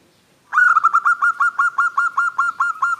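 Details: Local zebra dove, a female calling a male: a single steady train of about fourteen rapid, even, clipped coo notes at one pitch, starting abruptly after silence.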